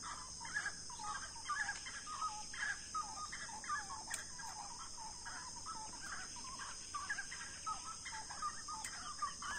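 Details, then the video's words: A grey-cowled wood rail sings on the banks of the Itapicuru River in loud, hurried cackling phrases, repeated notes tumbling over each other in a steady rhythm, over a constant high insect hiss. "Saracura-três-potes cantando"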